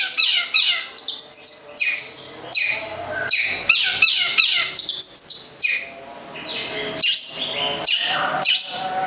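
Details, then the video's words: Long-tailed shrike, a local cendet from Gedong Songo, Central Java, pouring out a varied, lively song of quick chirps, slurred whistles and scratchy twittering notes in dense, continuous phrases. "cendet lokal Gedong songo (jawa tengah) kicau"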